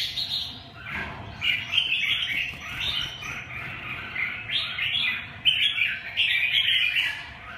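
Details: Red-whiskered bulbul song of jumbled, bubbly whistles and chirps in a near-continuous flow, slightly softer, with a faint thump early on and steady low hum underneath.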